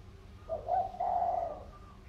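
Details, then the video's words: Tame spotted dove of a Sóc Trăng strain, a local field dove kept two years and used as a decoy, calling eagerly: two low, soft cooing notes, a short one then a longer drawn coo, with faint background hum. "Cu gáy mồi rất hăng"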